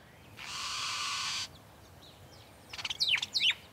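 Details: A lyrebird in Australian forest recovering after bushfires, a species famed for vocal mimicry of other birds, camera shutters and chainsaws, mimics: a one-second rushing hiss, then quick clicks and sharp, high whistled sweeps, faint background noise.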